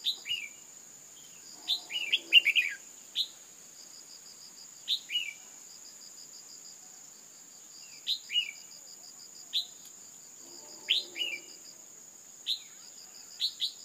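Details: Female red-whiskered bulbul calling to excite males: short bright downslurred chirps, usually in pairs, spaced one to three seconds apart, over a steady high insect drone and a pulsing insect trill.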